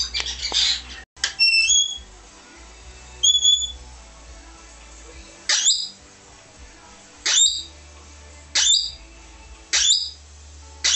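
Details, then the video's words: Australian king parrot giving about six sharp, high whistled notes, each a quick rising slur, spaced one to two seconds apart against a quiet background. "King parrot call"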